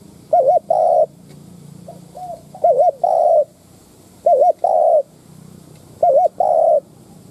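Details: Decoy spotted dove cooing to draw and provoke wild doves, four low phrases, each a quick quavering double note followed by a longer coo, spaced a second or more apart.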